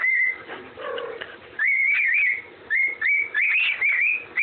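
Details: Whistled Andy Griffin tune from a pet parrot: one long held note, a quieter muddled stretch, then bright clustered whistles climbing slightly in pitch toward the end.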